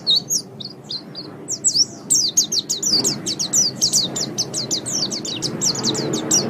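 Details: White-eye singing in a master training recording, scattered high chirps building into a dense rapid twitter of sharp descending notes, with a steady low background noise.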